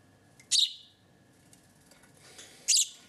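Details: House sparrow raised by hand after being found on a street as a two-to-three-day-old chick; two sharp, high, piercing chirps roughly two seconds apart, with near silence between them.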